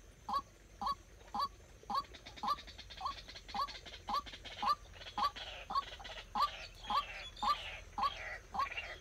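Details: White-breasted waterhen kept as a decoy bird for trapping, giving short hooked upward notes repeated steadily about twice a second, with a hissing, rushing background that grows stronger toward the end.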